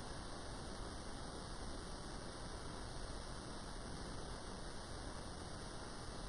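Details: No animal sound; only a steady hiss like rain or rushing water is heard throughout.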